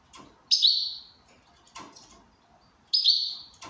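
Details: Goldfinch in good condition uttering two harsh, buzzy high calls about two and a half seconds apart, each falling slightly and fading, with light tapping sounds in between.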